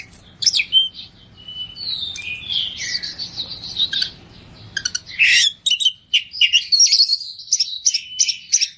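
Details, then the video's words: Oriental magpie-robin in full 'isian' 'gacor' song to wake silent birds into answering. Slurred whistles over background hiss, then a crisp run of rapid chips, trills and high whistled notes. "kacer gacor full isian , burung macet auto nyaut"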